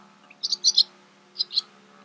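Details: Barn swallow (Hirundo rustica rustica) in the Camargue, France, May 2018, gives sharp, high twittering chirps, four quick notes then two more after a pause, over a steady low hum.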